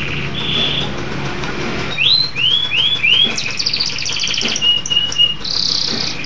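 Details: Local canary in vigorous song: a held whistle, then four rising swept notes, a buzzy rolled trill and a series of short level whistles.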